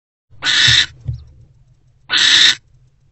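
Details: Wild barn owl mother and her older owlet bonding together in a nest box before dawn, 4:41 am, February 20, 2024: two harsh, hissing screeches, each about half a second long, with a short pause and a soft low thump between them.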